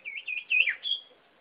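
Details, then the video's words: Sirpu bird singing a quick run of high, bright warbled chirps, each note bending up and down, with a sharp swoop in the middle and a thin high whistle at the end. "Suara Burung Sirpu Gila"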